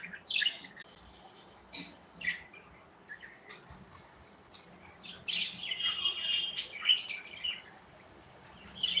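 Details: Several pet budgies in an indoor aviary chatter playfully: irregular high chirps, squeaky buzzy notes and warbled phrases come in two busy spells with quieter gaps between, against a low background hum.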